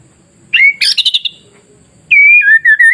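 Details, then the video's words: White-rumped shama song for provoking rival shamas to sing: an upslurred whistle, a burst of rapid buzzy notes, then a long wavering whistled phrase ending in short slurs. "SUARA MASTERAN KICAU MURAIBATU Pancing Murai Lain yang Takut Jadi Emosi dan gacor"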